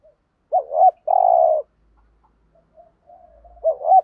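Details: Spotted dove used as a decoy, 'giọng thổ' voice, cooing in the 'thúc gù' style: one full phrase of a wavering double note and a long flat coo, then quiet murmuring and the start of another phrase.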